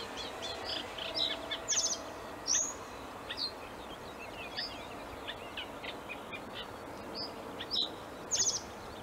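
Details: Male common reed bunting giving brief, sharp, jingling phrases at irregular gaps of one to several seconds, surrounded by scattered high chirps from other birds and a constant faint low noise.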